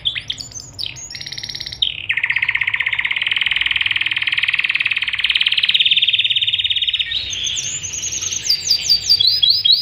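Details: Canary tutor song from a Panda canary with an elaborate repertoire, for young and reluctant singers: short whistles, then a long loud buzzy rattle lasting about five seconds, ending with quick high whistled notes.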